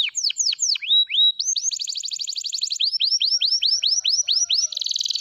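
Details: Canary of F2YS type in continuous song, with repeated sharply descending whistled notes, a dense high buzzy trill, more evenly spaced downward sweeps about four per second, and a final high rattle.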